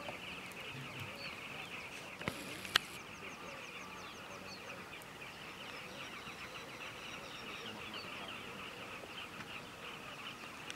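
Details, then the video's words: About 2,500 Northern carmine bee-eaters (Merops nubicus) flying above reeds at Bilen Lodge, Ethiopia, very early morning, 9 January 2015: dense continuous chatter of overlapping short rolling trilled notes, a couple of sharp knocks early on. "Northern Carmine Bee eater, Merops nubicus"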